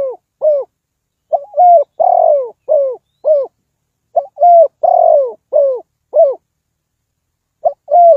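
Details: Spotted dove used as a decoy to lure wild birds into a trap, giving soft low hooting coos in short bursts, a run of paired notes and a longer drawn coo repeated in phrases separated by brief pauses.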